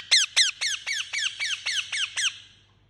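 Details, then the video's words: Harsh, repeated screeching from a pet Indian ringneck parakeet, nine sharply falling notes at about four per second, the first two loudest, over faint low hum. "Talking Parrot Chirping Sound"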